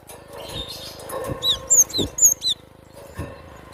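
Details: Cinereous tit recorded in the wild: several sharp, high whistled notes bunched into about one second. Dull low thuds and a steady background rumble surround them.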